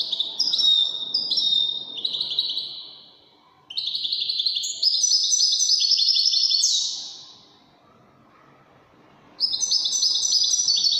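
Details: European goldfinch delivering Widani-style song: long runs of rapid, high, tinkling twitters and buzzy trills. Two short pauses break the runs, and one phrase ends in a sweeping descending note. A soft low murmur sits in the background.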